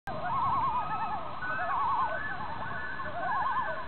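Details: About eight common loons rafting together on Garnet Lake on a September afternoon before fall migration, calling excitedly: quavering, laughing tremolo calls repeated in three wavering bursts, with long wailing tones and other loons overlapping in the background.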